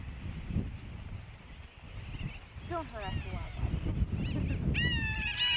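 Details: Brown booby on Johnston Atoll, June 16, 2001: a few short harmonic calls curving up and down, then a louder rising harsh call near the end, over steady wind rumble and a brief human voice.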